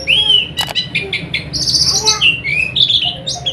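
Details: Oriental white-eye song for night-time therapy to get birds to open their beaks and sing actively: varied high chirps and short whistled slurs, one rising-falling whistle near the start, steady low hum beneath.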